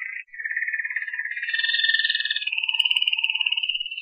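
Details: Malinois canary delivering a long, continuous rolling trill, pulsing rapidly and shifting between lower and higher pitches in smooth steps, with no other sounds.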